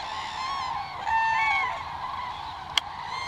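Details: In December 2022, thousands of common cranes wintering in Israel's Hula Valley call together in a dense chorus of overlapping trumpeting, bugling notes, with one rising call standing out and a sharp click near the end.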